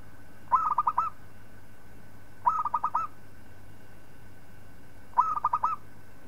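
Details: Local zebra dove delivering its tutoring song for other birds. Three matching phrases, each a quick run of about five throbbing cooing notes, repeated roughly every two and a half seconds over a faint steady hum.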